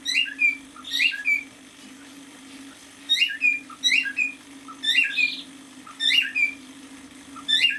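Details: Pet cockatiel, a male aged half a year, performs short whistled song phrases: clusters of two or three swooping chirps separated by brief pauses, one hoarse squawk, over a faint steady indoor hum.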